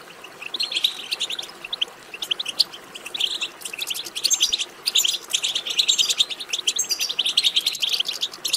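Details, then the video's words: European goldfinch twittering, called betbeta, played to excite goldfinches into song; long, lively sequence of quick tinkling notes and buzzy trills, almost continuous, with a short lull near the middle. "بتبتة ماهرة في تحفيز الحسون على التغريد"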